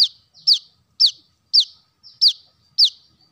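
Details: Brown-throated sunbird call used as a lure for birds: sharp, high, downslurred chip notes. They repeat roughly every half second, six loud ones with a couple of softer ones between, over near silence.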